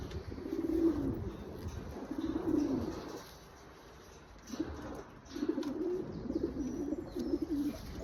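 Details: Breeding pair of pigeons cooing: low, throaty rolling coos in two bursts of about three seconds each, separated by a short quiet pause, with faint background hiss.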